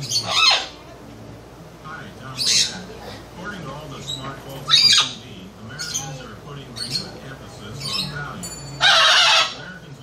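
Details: Parrot making loud noise, giving harsh, raspy squawks of about half a second each, four loud ones spaced unevenly over ten seconds with softer calls between, against a low droning background hum.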